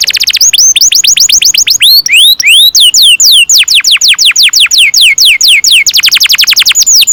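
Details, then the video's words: Singing canary delivering a long roll for training young birds: very loud, rapid series of piercing downslurred whistles, broken by a few rising swoops, then resuming in even fast repetitions. "Kenari gacor NGEROL PANJANG cocok untuk PANCINGAN KENARI PAUD"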